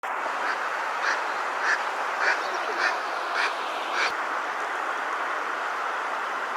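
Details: Eastern spot-billed duck feeding on a riverbank before sunset on 11 December 2020, with sparrows feeding nearby: a steady series of seven short, harsh calls about every 0.6 seconds, half-buried in loud, constant rushing water noise.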